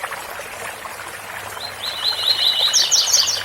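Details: Rusty-collared seedeater in 'tui tui' song: a long row of evenly spaced rising whistled notes grows louder and ends in high, sharp trilled notes, with a waterfall rushing steadily behind.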